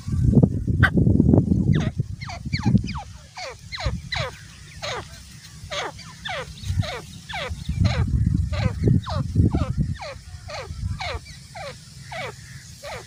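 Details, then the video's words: Grey francolin, a male and female pair, calling: rapid series of short, harsh notes sliding downward, about three or four per second, over a steady low rumbling background noise. "Grey Partridge Male Female Sound"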